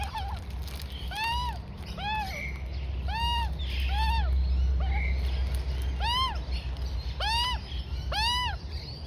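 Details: Juvenile Australian magpie, female, about four to five months old, being fed rolled oats by its mother; repeated harmonic arched squawks around one kilohertz, roughly every second, with low rumbling background hum.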